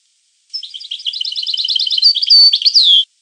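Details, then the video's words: European goldfinch song: a fast twittering run of paired high notes, then clear slurred whistles and a sweeping downward whistle to close a phrase of about two and a half seconds, with a clean, silent background. "The Goldfinch , chant de Chardonneret"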